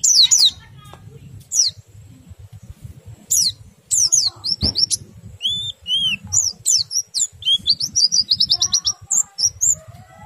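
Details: Oriental white-eye song to stimulate other white-eyes to sing: scattered bursts of high falling chirps and short whistles, building to a fast twittering sequence.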